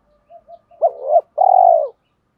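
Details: Spotted dove cooing for dove training: two soft short lead-in notes, a sharp hooked note with a rising wavering phrase, then a long level coo tapering downward.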